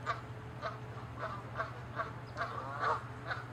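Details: Canada geese fighting, chasing and territorial, give loud, nasal honks, about seven in under four seconds, some overlapping, over a steady low hum.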